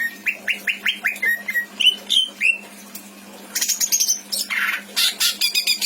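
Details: Pet greater green leafbird from Indramayu in full varied song: a quick run of repeated downslurred whistled notes, then harsher buzzy chatter and rasping bursts, over a low constant hum.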